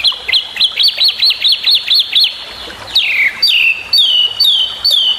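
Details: Long-tailed shrike master recording meant to tutor other songbirds: a fast series of about ten bright rising-falling chirps, then a long downward-sliding whistle followed by several sharp descending whistled notes.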